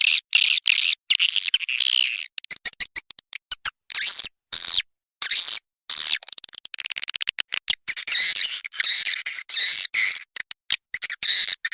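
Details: A swiftlet calling and roosting lure sound for swiftlet houses: dense, buzzy, high twittering chirps in rapid bursts broken by abrupt silent gaps, as if spliced together. No other sounds stand out.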